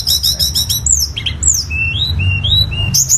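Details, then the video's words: Lesser shortwing voice: fast high buzzy trills, then smooth downward-slurred whistles and a string of short rising whistled notes at even pitch, closing with another quick high burst, low hum behind. "suara burung tledekan gunung"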